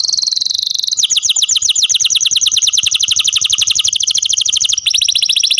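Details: Canary in care sings a steady high trill, then a long rolling tour of rapid repeated rising-falling notes, ending in another fast run of the same notes.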